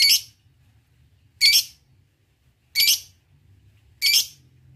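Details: Lovebird calling as a lure for rivals: four harsh, high, squawky notes, each short and spaced about 1.4 seconds apart, with a faint low hum beneath.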